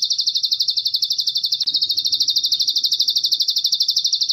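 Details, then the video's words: A Bar-winged Prinia (Ciblek Gunung), in a singing recording meant for training cage birds, gives a high, rapid chatter of even, ticking notes without pause, steady in pitch, over a faint low hum. "Ciblek Gunung Gacor"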